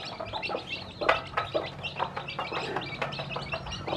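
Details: Newly hatched chicks with a hen that is teaching them to eat: high thin peeps around a steady patter of short clicks, one louder burst near the start.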